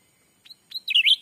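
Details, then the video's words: Lure call of a black-capped bulbul used to draw in wild birds during daytime trapping in a Sumatran forest. Two quiet chirp pairs precede a louder run of bright, twisting high notes. "suara asli pikat cucak ranting anti jong yang liar pasti dijamin langsung datang"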